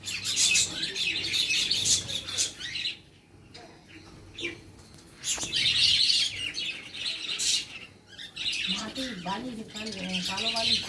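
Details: Birds chirping during a feeding: bursts of high, crowded twitters with a brief quieter break midway, then a low wavering tone near the end.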